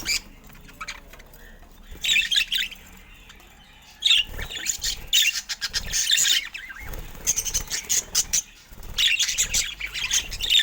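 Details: Happy chirping budgerigars call in loud bursts of scratchy, high warbling chatter separated by short quieter pauses, with occasional low knocks.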